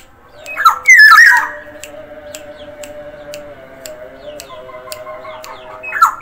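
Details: Black-naped oriole of the Sumbawa type singing actively, one loud fluted whistled phrase that rises and twists around the middle register, then quiet steady ticking and a low hum until a brief second note at the end.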